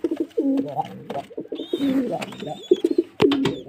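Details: Pigeon calling indoors, low cooing notes repeated in short bursts around a room, with a faint higher whistle, knocks and clatter, and other birds chirping in the background.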